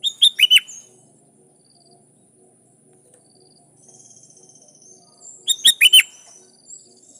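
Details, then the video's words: Sooty-headed bulbul singing vigorously to call rivals, with wild bulbuls said to answer: two bursts of four or five quick, bubbly, rising and falling notes, one at the start and one near the end, separated by faint background twittering. "Suara Burung Kutilang Gacor Memanggil Lawan || Kutilang liar nyaut dan GACOR"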